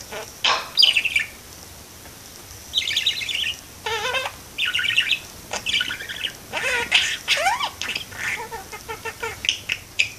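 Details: Indoor parakeet at a window, talking and singing: a sharp chirp, then repeated buzzy, warbling phrases with rising and falling whistles and fast ticking notes, spaced by short gaps.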